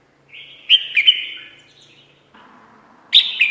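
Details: Red-whiskered bulbul lure call used for trapping birds: sharp chirps with slurred whistled notes, a burst near the start and another at the end, with a faint low hum between.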